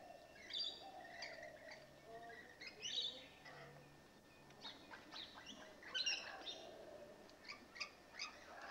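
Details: Rainbow lorikeets newly settled in, busy with lively behaviour: irregular harsh, high screeches and short chirps scattered through the recording, with a low hum and other faint sounds underneath.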